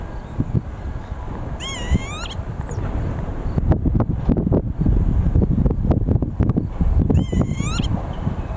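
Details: Northern lapwing in Bucharest, Romania, gives two wheezy, upslurred peewit-like calls about five seconds apart over heavy wind rumble and some knocking thumps.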